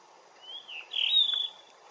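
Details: Blue rock thrush singing in the morning sun: a clear whistled phrase, slurred and rising then falling, with a brighter warbled run in the middle, over a quiet background.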